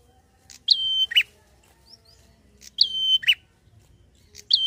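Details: A chattering prinia delivers quick ngalun phrases meant to rile other prinias: a short accented note slides into a steady, thin, high whistle, then a clipped rougher chip. Phrases repeat roughly every two seconds with quiet gaps and soft background rumble.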